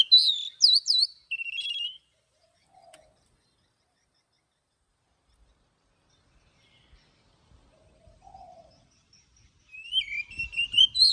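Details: Oriental magpie-robin in morning song, forest voice with long notes; a two-second burst of sharp looping whistles, a long pause with a faint low coo, then a rising string of varied whistled notes.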